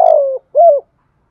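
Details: Fragment of a spotted dove's 'thúc gù' lure call for wild doves: the end of a long buzzy falling note, then one short rounded coo, followed by silence.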